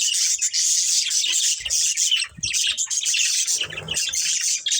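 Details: Breeding pair of budgerigars keeping up dense, high, buzzy warbling and chirping throughout, with faint low bumps in the background.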